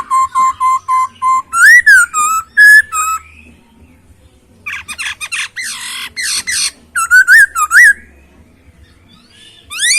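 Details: Masked laughingthrush song opening with six evenly spaced flat whistles, followed by slurred warbling phrases, a dense harsh burst, and further bright rising-falling whistled notes.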